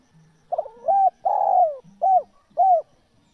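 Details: Cooing spotted dove used to lure wild doves: a rough double opener, a long coo gliding down, then two short bowed coos, over faint low humming.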